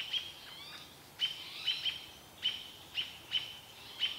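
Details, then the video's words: American robins mobbing a barred owl as a young owl watches, Vancouver: loud, sharp, high single chips at intervals of about half a second, between quieter moments. "Baby owl watching mum being mobbed by robins"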